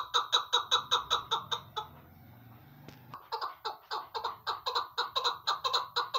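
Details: A female chukar partridge, recorded as a hunting call, gives a rapid, harsh clucking chatter at about six notes a second, pauses for a second of low hum, then resumes at the same pace.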